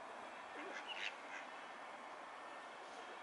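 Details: Mallards in courtship display; a short low grunt-like note is followed by a brief high whistle near the one-second mark, then only a steady background hiss.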